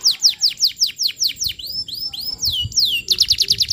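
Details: Canary singing hard for a young-bird training lure: steady downward-sweeping whistles about five per second, a few looping arched notes, then a fast bright trill.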